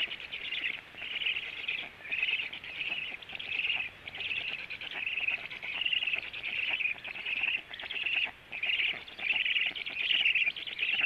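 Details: Black storks feeding after the male comes home at 14:45: a long series of rasping, buzzy bursts, each under a second, coming steadily about one and a half per second, with light hiss behind.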